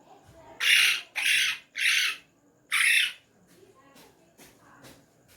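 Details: A tame talking ringneck parrot speaks Urdu/Hindi words as four loud, hoarse bursts in quick succession, followed by softer scattered sounds in an indoor setting.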